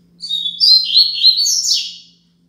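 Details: Double-collared seedeater's Braddock 'Tui Tui Zel Zel Top' song, played as a teaching model for young birds: a quick run of high whistled notes climbing and falling, ending in a sharp descending buzzy slur, over a soft low hum.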